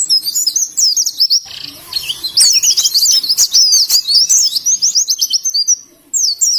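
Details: Indonesian oriental white-eye delivering ngalas song, dense, loud, very high chirps and zigzagging whistles in quick succession, with a brief pause near the end.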